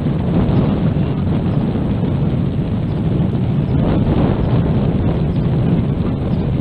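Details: Heavy wind buffeting the microphone, a loud low roar throughout with no animal sound.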